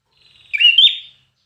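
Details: Single red-whiskered bulbul phrase in competition singing, from bird training: a quick, bright, slurred whistle lasting about half a second, rising at the end, against silence.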